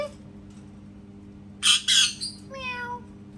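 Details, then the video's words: Parrot making cat sounds indoors: two loud harsh squawks, then a drawn-out, harmonic meow-like note that slides slightly downward and fades. A steady low electrical hum runs underneath. "PARROT MAKING CAT SOUNDS"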